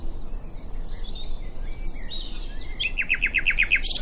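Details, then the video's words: Nightingale song at Diddington, its phrase ending in a fast series of about eight loud, repeated clipped notes, after softer whistles and other birds calling in the background. "Nightingale at Diddington"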